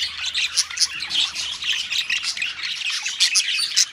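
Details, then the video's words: Parakeets in a colony, a busy tangle of piercing chirps and squawks crowding over one another, with sharp peaks roughly every half second. "Parakeets Call Sounds in Colony"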